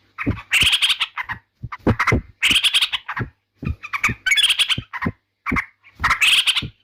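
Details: Yellow-vented bulbul, presented as a sound that provokes rival birds, giving harsh, raspy bursts of squawking chatter, about one each second, with short gaps and some low thumping between notes.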